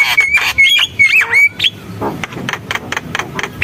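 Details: Javan myna producing a sequence of level and dipping whistles, followed by scattered harsh clicking notes.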